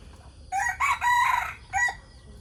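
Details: A rooster used as a decoy crows in the early morning: a clear three-syllable cock-a-doodle-doo, harsh and harmonic, with the long central note held about half a second, then a short dropping finish.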